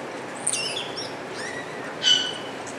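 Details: Wattled starling singing at Avifauna, Alphen aan de Rijn, Holland: thin high squeaky notes, a soft falling whistle, then a sharper buzzy chirp near the end.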